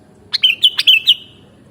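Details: One bubbly sooty-headed bulbul song phrase, recorded for mastering: quick whistled notes rising and dipping in a lively run of about six, then silence.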